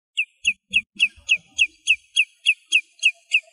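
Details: A common redshank sings in its natural habitat in Greece: a rapid series of about a dozen clear, ringing whistled notes, evenly spaced at roughly three per second, with faint low rumbles beneath.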